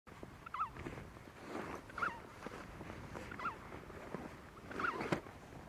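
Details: An emperor penguin chick begging for food from its parent in Adelie Land, Antarctica, in January gives four short, shrill whistled calls, about one every one and a half seconds, over steady wind-like noise.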